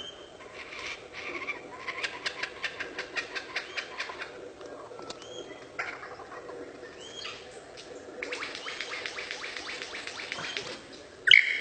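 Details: Mimicking lyrebird copies other birds and laser-gun noises, giving rapid runs of sharp, clicking pulses in trains, interspersed with short falling whistles and a louder burst of repeated clicks near the end.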